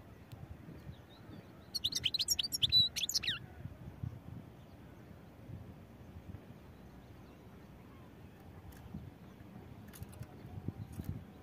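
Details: European goldfinch delivering a quick, lively phrase of high twittering and trilled notes lasting over a second, then quiet with steady low background rumble.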